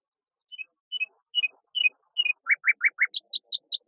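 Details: Common nightingale (Luscinia megarhynchos), mimicry song.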